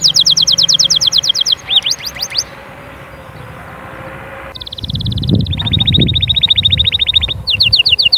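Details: Canary song to encourage chicks to sing and prepare females: high rapid trills, a pause, then a buzzy roll and a long fast trill, with a low rumbling noise in the background partway through.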